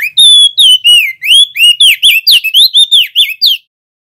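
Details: Extended rolling song of a male opior jambul: a steady stream of roughly eighteen loud, twisting whistled notes over three and a half seconds, clean with no background noise.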